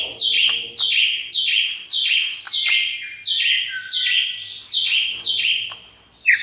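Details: Harsh buzzy notes attributed to a white-rumped shama, used to provoke other shamas into singing, each one dropping in pitch and repeated steadily about every 0.8 seconds for the whole stretch.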